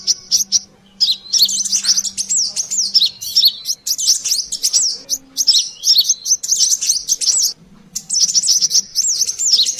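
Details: Lure recording of brown-throated sunbird (sogon): a thin high twitter that starts briefly, pauses, then runs into long busy chatter of quick sliding and looping notes, with a few short gaps and a soft low hum.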